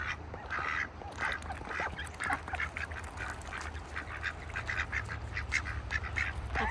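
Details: Farm ducks held in a bucket in wintertime, chattering with dense repeated nasal quacks several per second throughout, over a low steady hum.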